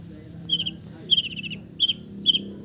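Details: An East Java long-tailed shrike delivers a calm, fill-laden song of short trilled bursts, each a quick cluster of high chattering notes, four bursts repeated at roughly half-second intervals.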